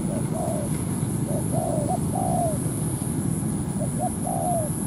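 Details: Spotted dove used as a ground decoy for trapping, drawing a wild dove down to a territorial fight. It gives low cooing phrases: two or three short notes, then a longer falling coo, repeated. Steady low rumble and a constant high whine.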